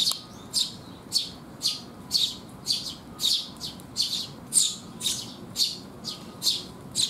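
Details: Sparrows arriving to be fed on a rainy day, 19 June 2021: a steady series of about fourteen crisp, high chirps, nearly two each second, over a faint hum.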